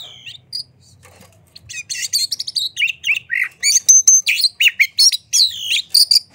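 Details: Oriental magpie-robin in vigorous song, tail opened, used to provoke other birds to sing: starts with scattered notes and a low hum, then builds into a fast, continuous torrent of whistles, rasps and chatters.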